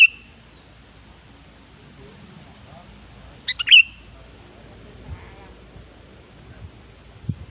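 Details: Sooty-headed bulbul in the wild giving one brief bubbly phrase of quick clipped notes ending in a whistled slur, with faint low thumps and scattered soft background sounds.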